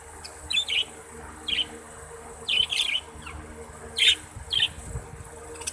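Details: Budgerigars kept as Australian pet parrots utter sparse, sharp chirps in pairs and singles separated by short pauses, each note bright and slightly scratchy, over a quiet background.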